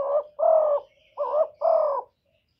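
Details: Spotted dove cooing as a lure to stimulate other doves: four soft, low, hollow coos in two pairs, each pair slightly rising then steady, with a brief pause between pairs.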